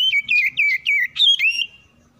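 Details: Oriental magpie-robin, a caged bird answering other song, giving a run of rich, warbling whistled notes that rise and fall, then trail off, over a faint low background hum.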